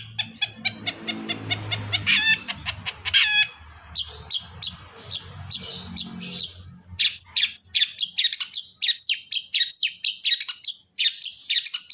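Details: Long-tailed shrike song used to set other shrikes singing: rapid series of dry clicking notes and harsh rattles, then a dense run of varied chirps and mimic-like phrases, with low background hum early on.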